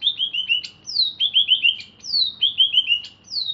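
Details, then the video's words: Freshly bathed caged greater green leafbird, from Alas Purwo in Banyuwangi, repeats a lively phrase: a long falling high whistle, then four or five quick descending slurred notes with sharp ticks, about every second. "Cucak Ijo Alas Purwo Cerewet"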